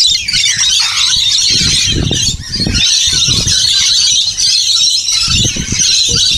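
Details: Noisy, hectic flock of rainbow lorikeets being fed at a caravan park by Burrill Lake, South Coast, Australia; unbroken high-pitched screeches and chattering squeals overlap throughout, with some low knocking and handling noises.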